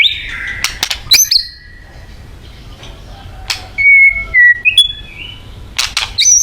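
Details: White-rumped shama from Thailand singing: a falling whistle, sharp clicks, a quiet gap, then loud clear stepped whistles and short sweeps.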